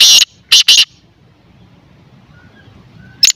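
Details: Harsh, loud francolin call, named as white or black teetar. One broad rasping note, then a quick pair of grating notes, a long quiet gap and a single note at the end.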